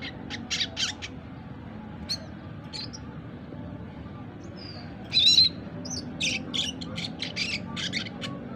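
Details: Four-month-old red siskin learning to sing, twittering in a style called ngriwik: scattered short, sharp high chirps and buzzy notes, irregular and loose, with one brief slurred whistle midway, over a low steady background hum.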